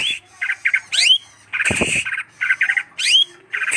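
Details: Greater green leafbird uttering harsh buzzy chatters in quick clusters, broken by sharply upswept whistled notes and a short noisy rasp, the notes coming in rapid irregular bursts.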